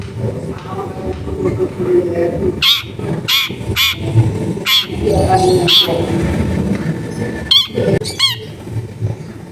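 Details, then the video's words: Long-tailed shrike singing sharp 'tembakan' phrases as a lure for shrikes that have stopped singing, captured at a house in a busy neighbourhood; harsh grating notes repeated in irregular bursts, with a few quick chirps and background rumble. "CENDET GACOR FULL TEMBAKAN TAJAM COCOK BUAT PANCINGAN CENDET MACET BUNYI"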